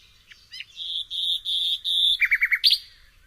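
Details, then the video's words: Nightingale song phrase opening with soft clicks, then four sustained pure whistles on one pitch, followed by a quick four-note chuckle and a sharp high closing note. "SOOTHING SOUND OF THE Nightingale"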